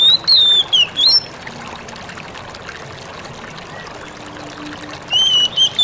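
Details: Oriental magpie-robin giving its "ngalas" song, used to make other magpie-robins answer: a loud, clear, wavering whistled phrase, then a quiet pause, then a second similar whistled phrase, over a soft hiss.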